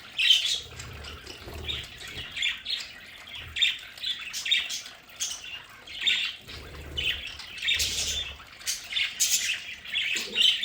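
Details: Pet budgerigars in an indoor home play area give repeated raspy squawks and chirps at an uneven pace, over a soft low rumble.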